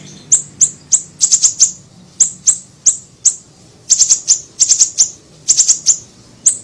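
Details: Small siri-siri bird used as a lure recording: piercing thin chips, very high, in irregular bursts of one to four notes, with short pauses between groups.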